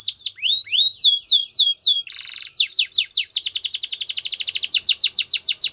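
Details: Singing canary delivers slurred, downward-sliding whistled notes, then a brief buzzy burst, then a fast rolling trill of rapid repeated notes that continues to the end.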